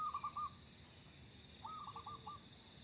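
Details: Local zebra dove singing keenly for use as a lure, one phrase of quick soft coos fading at the start and a second stuttering phrase after a pause, against low hiss.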